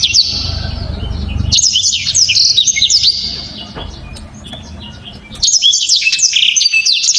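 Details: {'text': 'Loud, sharp black-throated canary song, very clear and tightly packed. Brief high trill, then a long run of quick slurred chirps, a quiet gap, and a final fast twittering phrase.'}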